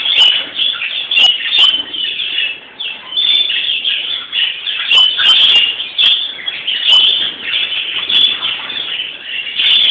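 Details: European greenfinches on Palm Sunday (Florii): dense, continuous twittering and trilled chatter with wheezy notes in a steady upper band, overlapping voices throughout, brief louder chirps and wing flutters every second or so.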